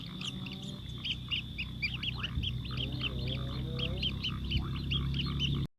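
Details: Sparrow with its chick at feeding time: quick, sharp chirps tumble over one another about twice a second and faster. A droning low hum and a faint wavering tone sit underneath.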